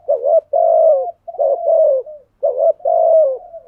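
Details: Spotted dove cooing in the thúc gù style, a full patterned song meant to provoke wild doves into answering: three paired, mellow, throaty coo phrases with short pauses between, clean and close with no other sounds.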